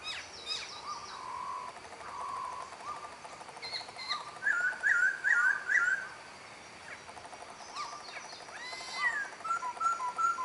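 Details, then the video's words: Black-throated laughingthrush singing at Bach Ma, Vietnam: loud, mellow whistles and a quick run of rich warbled notes in the middle, with other faint bird calls behind. "Khướu Bạc Má hót"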